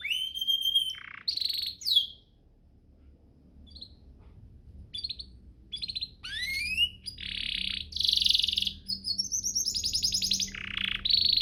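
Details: Canary master song for training: whistled notes and a short buzzy burst, a quiet gap with faint chips, then rising slurs, harsh buzzes and fast trills.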